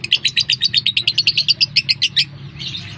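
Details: Lovebird lure call played to make other lovebirds respond: a rapid series of about twenty sharp, high chirps, evenly spaced, over roughly two seconds, then a softer trailing chatter, with a low steady hum beneath.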